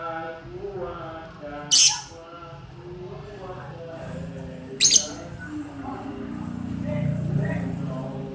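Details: Young lovebird in a flight cage, being trained with master song recordings because it has stopped singing, gives two sharp, shrill squawks about three seconds apart over soft background music.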